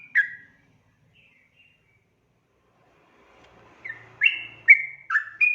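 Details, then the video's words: Sooty-headed bulbul singing a 'ropel' lure song meant to make other bulbuls reply: one lone whistled note, a long silence, then a quick burst of four bright stepped whistles. "KICAU SUARA trucukan gacor ropel panjang pancingan trucukan agar NYAUT"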